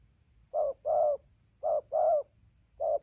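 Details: Spotted dove, 15 November 2020: two full pairs of deep mellow coos, a short note then a longer flat-to-falling one, followed by the start of a third, with a faint low rumble.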